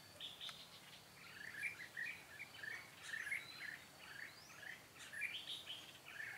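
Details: Red-whiskered bulbuls recorded while being trapped on 13 March 2017, with a decoy singing to attract wild birds; a steady run of chirpy, warbling whistled phrases over a faint insect-like background hiss.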